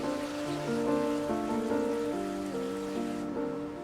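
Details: Sustained tonal music with shifting chords plays over a wash of rain noise, with no animal sound.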